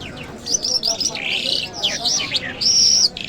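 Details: A lark gives a lively song of quick descending chirps, high trills and sustained whistled notes, loud and close, with faint background chatter.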